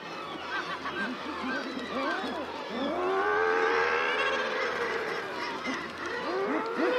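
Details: Common murre (guillemot, Uria aalge) colony din: overlapping growling, chattering calls and rising drawn-out moans, with wingbeats of birds arriving and footsteps and shuffling as they move about; kittiwakes and razorbills also noted at the colony.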